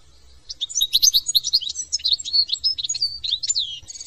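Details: European goldfinch, a small, brightly coloured, partly migratory finch from France, singing a fast, liquid run of twittering notes and tinkling trills with high buzzy slurs, ending in a downward-sweeping whistle.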